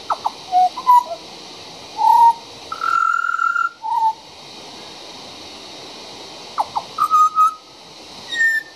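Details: Juvenile pied butcherbird singing right outside a back door: pure, flute-like whistled notes, some short and some held, including a long level note near three seconds, with gaps of quiet between phrases and a steady background hum.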